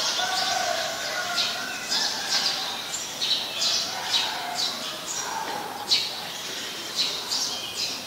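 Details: Eurasian tree sparrow calling in Ubon Ratchathani, Thailand, on 10 May 2020, where it is a very common resident: a steady run of sharp, high chirps, roughly two per second, with softer whistles of other birds beneath.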